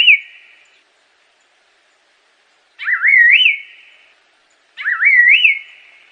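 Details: Song of an Assam laughingthrush, a clean whistled phrase repeated roughly every two seconds, each starting with a quick wavering dip then rising to a bright, slurred high note with a short reverberant tail; no other sounds.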